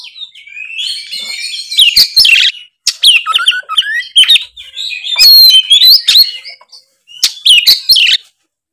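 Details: Kacer (Oriental magpie-robin) delivering loud ngeplong song: rich varied warbling of slurred whistles, scratchy rasps and clicking notes, nearly continuous over eight seconds with short breaks.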